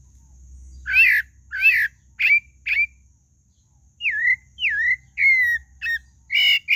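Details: Pale-breasted thrush song: phrases of clear whistled, slurred notes near the upper-middle range, some falling then rising, delivered in two bursts with a short pause between, over a low steady hum.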